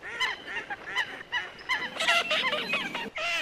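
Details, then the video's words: Coot calling in quick, hoarse, honking bursts, several overlapping notes close together, then a dense cluster of louder calls and a final sustained harsh note. "Coot best voice call"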